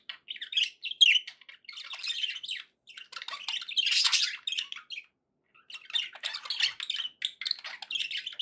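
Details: Budgerigars singing steadily, squeaky chirps and scratchy warbles run almost without break, a loud burst near the middle and a short silence after it, intended to encourage a parrot to eat and sing.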